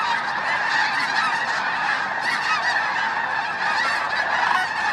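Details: Loud, close chorus of snow geese at Bosque del Apache NWR, December 2009, around sunset and sunrise; unbroken wall of high honks and barking yelps from a huge flock.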